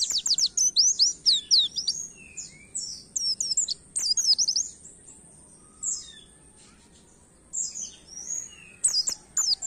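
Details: Oriental white-eye (pleci) gives a fast, high, canary-like twittering song, meant to stimulate other songbirds, in bursts of rapid chirps and trills with brief pauses, over a faint steady hiss.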